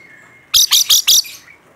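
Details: Rainbow lorikeet, a caged bird described as in full voice, giving four quick loud harsh screeches in a row over a faint steady whistle.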